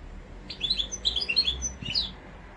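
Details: Mosaic canary singing a brief run of high twittering notes and short whistles, moderately loud, with a faint low hum underneath.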